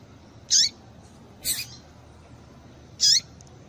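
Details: Double-collared seedeater female call, used to get males excited and singing: two bright, high, downward-sliding squeaks about two and a half seconds apart, with a harsher, noisier note between them.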